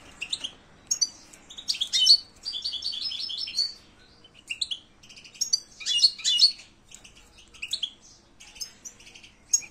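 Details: European goldfinch singing in silvestrismo context: rambling phrases of fast, liquid twitters and buzzy trills, with brief pauses between bursts and a quiet background.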